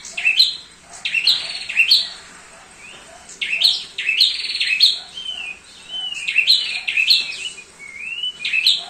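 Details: Thick-billed heleia, used as a training master, singing in bursts of quick warbled and whistled notes that sweep up and down, phrases lasting one to two seconds, separated by short pauses.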